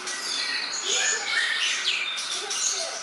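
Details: Masteran tutor song of the greater green leafbird, described as easy to learn; busy high-pitched chattering and twittering with a few clear whistles, continuous and unbroken.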